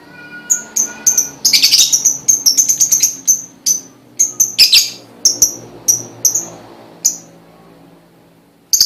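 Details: Lovebird lure song to start other lovebirds singing: mix of sharp high chirps and short bursts of rapid, harsh chattering, repeated over several seconds with quiet background hum.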